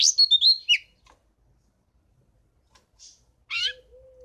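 House finch giving a bright, jumbled warble of quick high notes and slurs, then a pause, a short chirp, and a final burred phrase.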